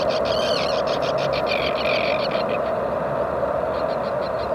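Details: Common tern (Sterna hirundo) at its breeding site, giving rapid, harsh, grating calls in quick bursts, pausing, then resuming near the end, over a loud steady rushing roar.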